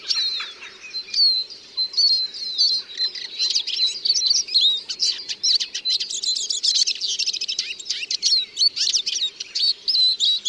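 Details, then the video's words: Long, continuous Eurasian siskin song of tumbling high twitters, short trills and bright whistled slurs that grow denser and more rapid toward the end. "The song of the Eurasian Siskin"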